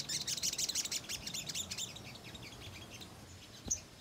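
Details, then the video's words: Ruby-cheeked sunbird chattering song, a lure for untrained sunbirds: a quick burst of thin, very high chips about three per second, fading after two seconds, then one brief sharp note. "Sogok Ontong Gacor Nyerecet‼️Pancingan Sogon Bahan Agar Emosi dan Respon Bunyi"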